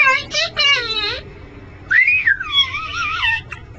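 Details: Pet male Congo African grey parrot, kept on a perch in a dive shop by day, gives speech-like harmonic phrases, then a rising and falling whistle and a wavering, buzzier phrase in a small indoor room.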